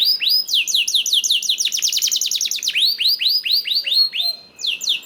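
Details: Canary song meant to trigger other canaries to sing: quick series of sweeping notes accelerating into a tight rapid trill, followed by slower rolling phrases.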